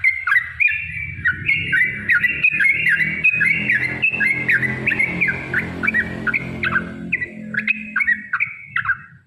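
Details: Yellow-vented bulbul singing the long rapid 'ropel' song used as bait for other bulbuls; fast, repeated bubbly phrases over a steady low hum and background noise.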